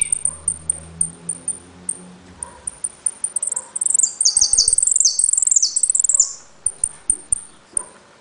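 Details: Jilguero, a caged saffron finch from Trenque Lauquen, gives spaced high pips about every half second, then bursts into a fast, shrill, stuttering phrase of stacked descending notes before returning to single pips.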